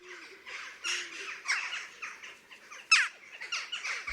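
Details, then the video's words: Western jackdaws, vocal birds often heard around houses and allotments, give short, harsh, high-pitched chiak and chok calls, several close together and overlapping in a busy chattering run. "The jackdaw is a vocal bird, rarely keeping quiet for long."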